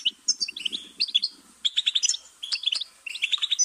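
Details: Goldfinch giving bursts of bright chirps and quick twittered phrases, each lasting about half a second with brief pauses between, plus soft low pulsing sounds in the first second and a half.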